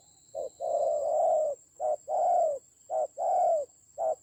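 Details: Spotted dove used as a decoy bird in a fight, recorded in the Central Highlands forests of Vietnam on 19 October 2020; low hooting coos, a short note then a long drawn note, repeated, with a steady high electronic whine behind.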